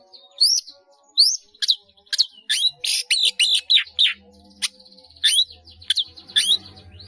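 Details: Long-tailed shrike song packed with imitated fill-in phrases for training caged birds: quick high upslurred whistles and dense chattering notes in fast succession, with a faint low hum underneath.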